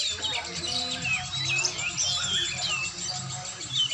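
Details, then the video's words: Oriental magpie-robin in training, pouring out a continuous varied warble of short whistled notes and quick rising and falling slurs over a low background hum. "latihan burung kacer"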